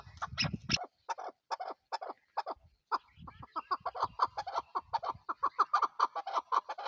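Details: Chukar partridge, the national bird of Pakistan, starting with a few scattered clucks after a brief noisy rustle, then building into a rapid, regular chuckling series that grows steadily louder.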